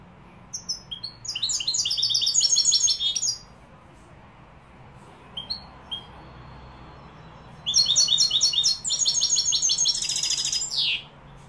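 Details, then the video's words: Goldfinch song tied to Malaga, Morocco: two fast bursts of liquid, jingling twitters, each about two to three seconds long, separated by a pause with a few isolated chips, the second burst closing on a descending sweep. "jilguero malaga maroc. أداء روعة ماشاء الله تغريد كوبيا ملقا"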